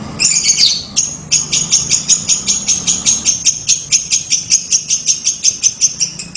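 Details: Lovebird 'ngekek' sequence opening with a squeaky burst, then a long string of sharp, high clipped notes repeated roughly three times a second, with faint low hum behind.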